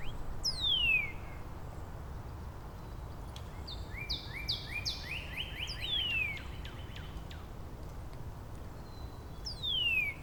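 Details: Neighbouring Northern Cardinals countersing in Angrignon Park on March 19, trading variants of the song. Loud clear whistles slide steeply downward near the start, middle and end, with a stepped run of shorter rising notes between them over soft background hiss.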